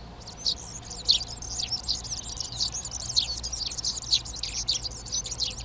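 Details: Eurasian tree sparrows occupy garden nest boxes in Přerov, Czechia, in March 2020. Steady, high-pitched chirping runs throughout, with a few louder notes standing out above a busy background of twittering garden birds.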